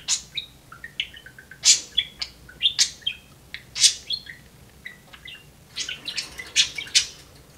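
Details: Talking pet budgerigar in a home cage setup, a busy stream of chirps, scratchy trills and squeaky speech-like syllables, bunched into bursts with a short pause mid-way, then a dense chattering run at the end.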